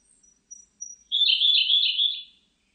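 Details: Siberian blue robin song. Several faint, very high, thin notes precede a loud, rapid, rolling trill at an even pitch, sustained for about 1.2 seconds and then fading. No other sounds.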